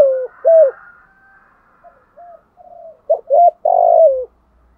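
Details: Spotted dove morning lure call: two mellow coos, a stretch of faint quieter cooing, then a loud phrase of short notes ending in a long burry downward-sliding coo.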